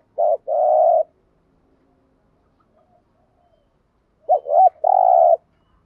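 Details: Spotted dove decoy bird's 'gù thúc' coo, meant to excite newly caught doves: a short wobbling note then a sustained buzzy coo, a long silence, then a pair of quick rolling notes and another drawn-out hoot.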